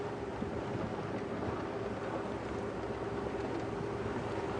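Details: Steady broadband rumbling noise, like a running engine or wind, continues throughout with no animal calls.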